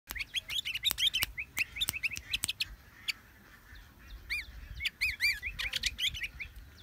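Sooty-headed bulbul giving bright, bubbly chirps and short arched whistles in quick bursts, mid-high pitched, with sharp clicks and another small bird's notes mixed in.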